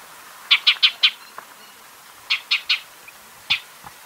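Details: Shining sunbird recorded wild in arid African or Arabian habitat: short bursts of three or four loud, sharp chips, separated by pauses of over a second, ending on a single chip.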